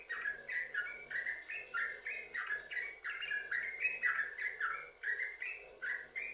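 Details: Continuous yellow-vented bulbul song used to lure other bulbuls into singing: quick chains of clear, slurred whistled notes rising and falling in bubbly phrases, with a faint low hum underneath.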